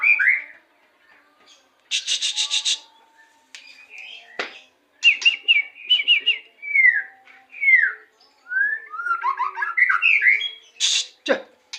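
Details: White-rumped shama from Indonesia delivering a long varied song of whistled upslurs, downslurred notes and rapid twittering runs, broken by harsh buzzy bursts and sharp clicks.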